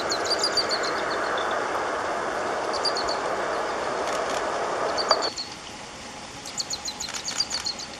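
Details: Marcapata Spinetail, a Peruvian endemic, at Abra Malaga, Cusco, in Chusquea bamboo in humid montane forest, singing short, high, rapid trills in bursts every couple of seconds; loud rumbling engine or wind noise covers the first five seconds.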